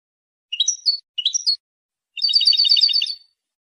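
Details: European goldfinch song, used to claim territory and attract females: two short bursts of bright, tinkling twittered notes, then a second-long buzzy, rapidly repeated trill; otherwise quiet.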